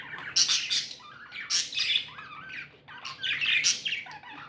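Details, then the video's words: Happy budgerigars give loud squawky bursts and shrill chirps in three or four distinct clusters separated by quieter warbling, with a low hum in the background. "Happy budgies chirping sounds"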